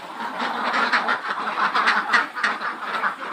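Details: Khaki Campbell ducks, roughly 400 birds over 110 days of age, on a farm at Muktagachha, Mymensingh, heard as a steady, raspy mass of overlapping quacks with occasional sharper calls.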